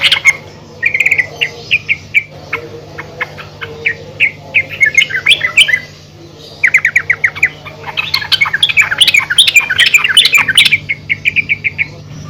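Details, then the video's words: Calling female yellow-vented bulbul, meant to draw other bulbuls: long stretches of rapid, repeated bright chirps in uneven bursts, a brief pause, then busier chattering phrases with overlapping notes and a quick repeated chirp run to finish. "PANGGILAN BURUNG TRUCUKAN BETINA GACOR||MEMANGGIL TRUCUKAN LAIN AGAR RAJIN BUNYI"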